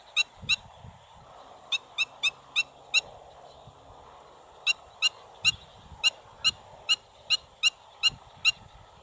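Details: A Black-winged stilt at Pont de Gau gives sharp, nasal yelping calls, repeated in quick bursts of two to five notes with brief pauses, over a low background hum.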